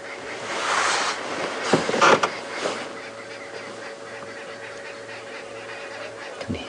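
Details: Arrow-marked babblers (Turdoides jardineii) call in the background at Djuma Game Reserve on an evening safari drive, 3 September 2015, as a leopard looks up to listen: harsh, nasal ragged bursts in the distance over a low engine hum.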